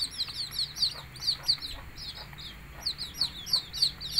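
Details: Chicken chicks peeping while the hen calls them to eat: rapid, high, thin downslurred cheeps, about one or two a second, with only faint low clucking beneath.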